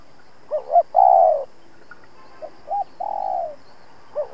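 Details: A spotted dove set out as a trapping decoy coos to challenge rival males: a loud two-note lead-in and a long falling coo, answered by a softer similar phrase, then a new lead-in begins.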